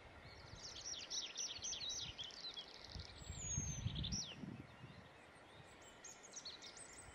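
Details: Great tit in Estonia giving rapid series of high, sharply descending chirping notes, several dozen in quick succession, with a thin whistled slur midway; low rumbling background noise like distant traffic or wind.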